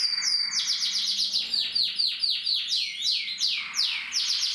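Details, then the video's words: Male Harlekin canary singing fast, bright trills of downward-sweeping notes, about six to eight a second, switching to slower, fuller rolls partway through, over a faint low hum. "Kanarienvogel Harlekin singt"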